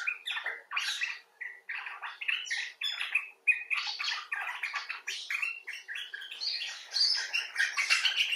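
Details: Common bulbul talking expressively, some birds rescued after injury and others wild, in a continuous stream of varied rapid chattering notes, squeaky and harsh, with almost no pauses.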